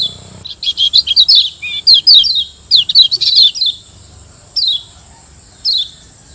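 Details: Yellow white-eye from Lombok, kecial kuning, in a training master song for caged birds: two seconds of dense, sweet high twittering, more chattering near three seconds, then two lone descending chirps.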